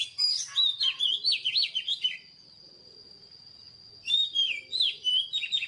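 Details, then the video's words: Newly caught wild White-rumped Shama delivering a fast run of fluty, sliding whistles and chattering notes, falling silent for about two seconds, then resuming with more swooping whistled phrases, with a constant high thin tone behind. "Chòe than HÓT MÚA ĐẲNG CẤP || THÚC CHÒE THAN BỔI HÓT"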